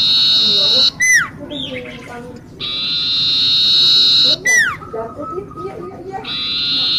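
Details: Common iora in full, vigorous song for luring birds: sustained piercing whistles lasting over a second alternate with steep falling slurs, while quieter warbled notes fill the gaps.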